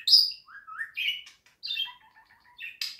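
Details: Budgerigar song offered for playing to pet birds: a quick run of bright chirps, a high squeaky note, rising whistled slurs and a burst of harsh buzzy noise near the end, with short silent gaps.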